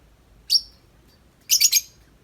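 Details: Single piercing high chirp from a tame lovebird outside its cage, then a quick rattling triple burst, part of its long nonstop 'ngetik' chatter.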